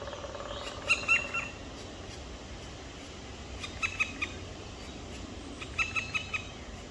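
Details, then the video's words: Two black woodpecker chicks on 23 May 2023 at about 19:43, evening. They give short, harsh, high calls in quick clusters of three or four, repeated every two seconds or so, over a steady background hiss. "Black Woodpecker chicks"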